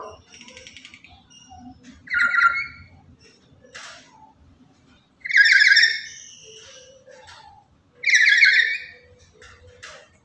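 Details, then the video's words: A lory described as very noisy and daily active, used to draw in and teach other lories, utters three harsh, grating calls spaced roughly three seconds apart over a quiet, low murmur. "Inilah Burung Nuri Yang Paling Cerewet Dan Lantang"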